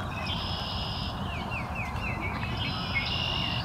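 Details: A group of wood duck ducklings at High Park gives a quick run of thin, descending peeps, about four a second, over a steady noisy background with a faint high hum.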